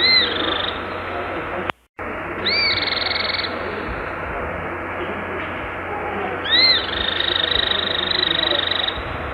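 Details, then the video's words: Cliff flycatcher (Hirundinea ferruginea) repeats high rising-falling whistled notes, each running straight into a sustained rapid trill. Three phrases are separated by pauses and one brief dropout, over constant low hiss. "O Canto do GIBÃO DE COURO (Hirundinea Ferruginea) Bird Song - Cliff Flycatcher"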